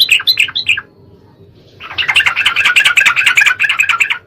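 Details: Lure recording of sooty-headed bulbul song meant to set other birds singing: a few clipped high chirps, a quiet gap, then a sustained rapid warbling chatter with a faint background hiss.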